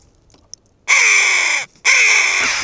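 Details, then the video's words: Red-billed choughs in a sociable flock on the Asturian coast of Spain make a sudden loud uproar: two long bursts of harsh, overlapping high-pitched calls separated by a short silence. "Chovas piquirrojas (Pyrrhocorax pyrrhocorax )arman la marimorena."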